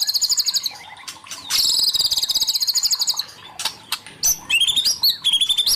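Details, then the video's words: White-rumped shama singing a loud, varied song of rich whistles and harsh buzzy phrases, with short bursts and rapid trills at high pitch, brief pauses between phrases, clear and close with no other sounds. "Muray Batu"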